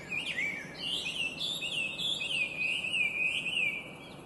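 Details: Beautiful, complex song of the invasive Chinese hwamei: a continuous flowing warble of rapid looping whistled notes, varied in pitch, loud throughout and fading only at the close.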